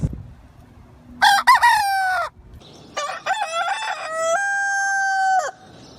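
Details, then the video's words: A white rooster gives two crows in succession, the first short and stuttered, the second longer with a wavering start and a long level held note, strong stacked harmonics, quiet background between. "white cock nice sound"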